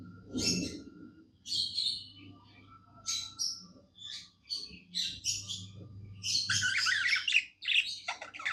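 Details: Pet budgerigar singing happily, a chattering warble of buzzy and scratchy notes in bursts separated by short pauses, rising into a dense, busier run near the end; low steady hum in the background.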